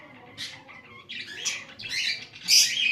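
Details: Shrill, rasping chirps from a lovebird, starting with a single short squawk, then building into a run of louder, scratchy calls that peak at the close.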